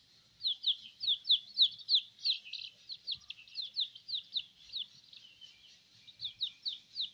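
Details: Just-hatched chicken chicks out of their eggs, playing on someone's belly: shrill descending peeps repeated about three times per second, some overlapping from several chicks, with soft handling rustles beneath.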